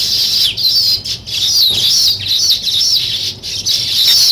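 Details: Weaver birds building a nest produce a busy chorus of high wavering squeaks and buzzy chattering, rising and falling in pitch, with brief dips between bursts.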